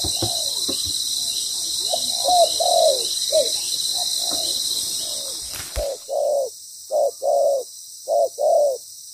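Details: Spotted dove cooing during trapping with a ground decoy; a series of muffled coos, then after a knock clearer paired coos repeated in short groups against a quieter background.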